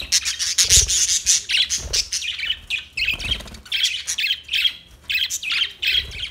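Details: New budgerigars chattering loudly indoors: rapid runs of high, buzzy chirps and warbles repeated in quick bursts with short pauses, a few low thumps underneath.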